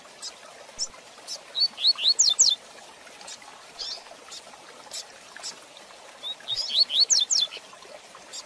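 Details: Double-collared seedeater training song, Tui Tui Zel Zel in fast style for teaching young birds. Two bursts of bright, rapidly slurred high whistles about five seconds apart, with crackling clicks in between.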